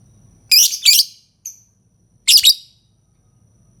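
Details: Harsh, screechy double-pulsed lovebird calls, each burst about half a second long, separated by a short high chirp and pauses.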